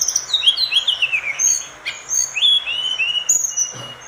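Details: Vigorous song of an orange-spotted bulbul, a tutor recording for other birds: sweet descending whistled phrases, each slurring down in pitch, given in close succession over a light hiss.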